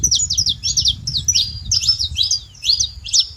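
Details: A saffron finch living free in nature repeats sharp, high chirp-and-slur notes about twice per second in an even, lively series, with a steady low background hum.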